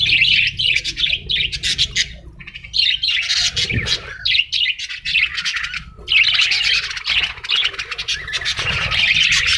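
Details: Parrots calling in dense, harsh, high chattering bursts that pause briefly near the third and sixth seconds, over a faint low rumble.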